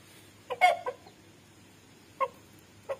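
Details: Chicken of a big breed clucking: a short cluster of three low clucks near half a second, the middle one louder and drawn out, then single clucks at about 2.2 and 2.9 seconds over a low background hum.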